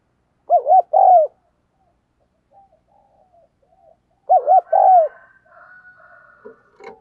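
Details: Spotted dove kept as a decoy, cooing hard and often to stir wild doves; two repeated phrases of two brief hoots plus a long descending coo, followed by faint murmuring and a few clicks.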